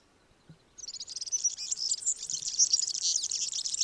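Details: Typical, diagnostic European serin song: a rapid, liquid twitter of high-pitched notes that pour on without a break, a dense, jingling, sizzling stream starting after a short silence.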